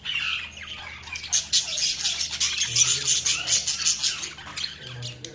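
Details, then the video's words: Budgies chattering in a dense, continuous mix of high buzzy twitters and quick chirps, several birds seemingly calling at once. "Budgies Chirping sound"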